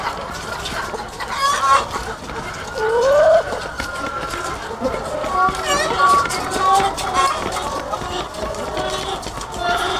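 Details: Chorus of thousands of egg-laying hens on a farm: overlapping squawks, clucks and rising nasal calls, with a dense steady din of many birds and scattered sharper notes throughout.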